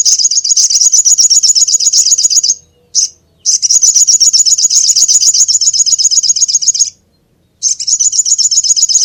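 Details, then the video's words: Little spiderhunter giving long runs of rapid, sharp high chips, about four per second, in steady bursts of several seconds broken by short pauses; no other clear sounds. "SUARA BURUNG SOGOK ONTONG"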